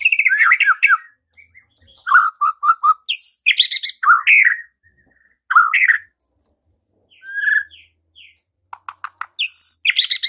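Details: Caged White-rumped shama singing hard when provoked to fight: loud energetic phrases of repeated chattering notes, quick downslurred whistles and harsh rasping bursts, with short silent gaps between bouts.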